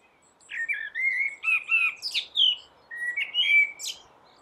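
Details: Common blackbird singing from a roof: mellow whistled phrases near one pitch, sliding and warbling, broken by short gaps and ending in thin, high squeaky flourishes; no other clear sounds.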